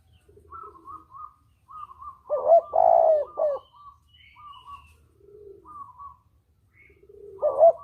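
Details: Spotted dove calling as a hunting lure: one loud husky coo phrase and another starting at the end, with soft low coos and repeated short higher whistled notes from another bird throughout.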